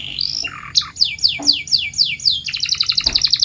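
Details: Canary song used as a training sound to encourage canaries to sing: a short buzzy trill, then a fast series of bright descending whistled notes, ending in a quicker rolling run of high chirps.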